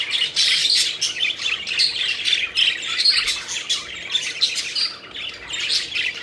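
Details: Pet budgerigars playing and flying about, giving a continuous busy chatter of scratchy chirps and warbles, several birds overlapping without pause.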